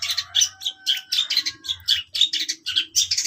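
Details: Long-tailed shrike giving harsh, scratchy chatter: rapid squawky notes with a thin whistled thread running underneath, in a nearly continuous jumble. Faint low rumble behind.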